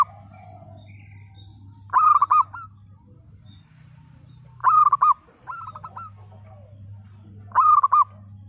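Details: Local zebra dove in full song with a 'broken voice' style, used as a lure to get mute, lazy birds singing: three quick, trilled cooing phrases spaced two to three seconds apart, over a steady low hum.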